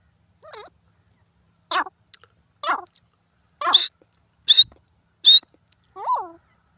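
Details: Grey francolin, known locally as teetar, calling in a series of separate notes, some harsh and wavy with stacked overtones, others sharp high whistled notes, spaced roughly every 0.7 seconds against an otherwise silent background.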